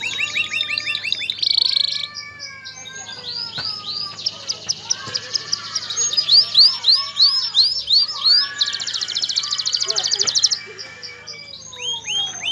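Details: Male canary singing to prepare a female for mating and stimulate her to build a nest; dense high song of fast trills and rising swept notes, with rolling buzzy trills between 2 and 10 seconds and a low steady hum beneath.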